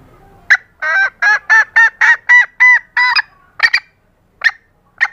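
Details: Female green junglefowl calling to attract males: one sharp note, then a run of eight honking, harmonic notes at a quick pace, followed by several short, clipped, harsher notes spaced apart.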